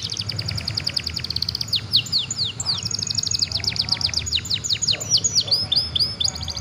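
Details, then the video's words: A young canary sings to prompt other young birds into song: long runs of quick, high, descending chips, repeated rapidly like a trill, over a constant low background noise. "PANCINGAN KENARI PAUD JEBOL SUARA JADI GACORR"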